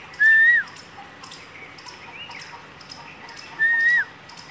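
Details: Asian koel calling: two loud, clear whistled notes, each held briefly, rising slightly and then dropping at the end, about three seconds apart, over a quiet background with faint ticking sounds.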